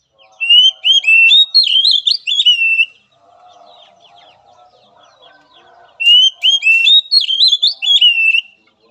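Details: Oriental magpie-robin song played as therapy training for a weak-spirited bird: two bursts of loud, clear whistled phrases with rising and falling slurred notes and quick trills, separated by a few seconds of faint, low chatter.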